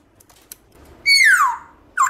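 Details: Black-throated laughingthrush (Garrulax chinensis) in wild-voice song for stimulating captive birds: a single bright whistle sliding steadily downward, followed by a short loud note at the end.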